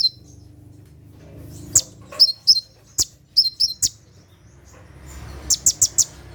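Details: Night-time 'tembakan' song of a kolibri ninja sunbird, played to train caged birds: scattered high, sharp chirps and paired notes in the first half, a quiet gap, then a quick run of four piercing ticks.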